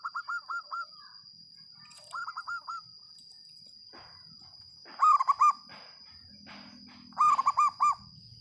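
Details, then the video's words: Local zebra dove singing loudly and actively: short bursts of soft, rounded cooing notes near one pitch, grouped in quick phrases of four to six, repeated several times, with a steady thin high whine behind. "perkutut lokal gacor suara lantang"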